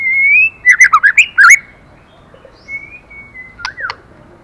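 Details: Female white-rumped shama urging the male: a sustained rising whistle, then a quick run of loud, looping notes, followed by quieter whistles and a couple of sharp clicks.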